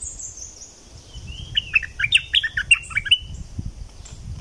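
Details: Song of a streak-eared bulbul in southern Thailand: a rising slurred whistle leads into a lively string of short chirpy notes, roughly eight in two seconds, over constant high-pitched insect buzzing and low background rumble.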